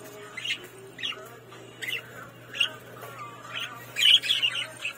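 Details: A batch of pet budgerigars gives short, scratchy chirps and squawks in irregular bursts, with a faint steady hum behind.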